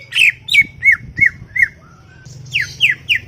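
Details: Greater green leafbird, a chattering garden bird: quick series of sharp, slurred descending notes near the upper-middle range, about three per second, pausing briefly before another burst of falling squeaky phrases, with faint low hum beneath.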